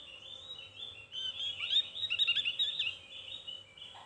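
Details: Javan grey-throated white-eye giving a thin, lively song: fast, scratchy chattering and twittering notes, high-pitched and jumbled, strongest in the middle section, with a low steady hum underneath.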